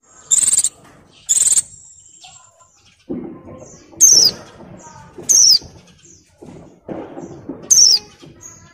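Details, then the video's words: A molting female Oriental white-eye in breeding condition calls to males. Two buzzy trilled bursts open the sequence. Spaced, sharp descending high notes follow, with soft low twittering between them. "SUARA PLECI BIRAHI GACOR NGALAS"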